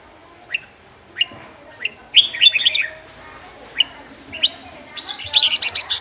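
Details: Red-whiskered bulbul of the Huế type singing: single short chirps spaced about half a second apart, then a rich warbled phrase, more spaced chirps, and a final rapid burst of high, sharp notes.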